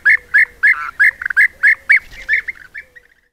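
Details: Bee-eaters, European, from a colony of some 20 to 30 that sometimes visits the hives at Corte Franca, trail-camera recording; a rapid series of rolled, purring calls, several birds calling together, fading out over three seconds.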